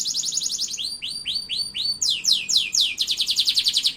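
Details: Canary song from an Indonesian songbird keeper; fast high trills of rapid repeated notes, a run of downslurred whistled notes, then dense buzzy rolling trills, all very high and continuous.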